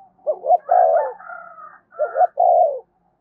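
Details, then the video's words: Spotted dove provoking other doves with coos: two phrases of a double note and a long burry coo, overlapped by a higher, steadier cooing voice from another dove. "tiếng cu gáy thúc và gáy gọi/ cu gay kich boi nhanh noi gù"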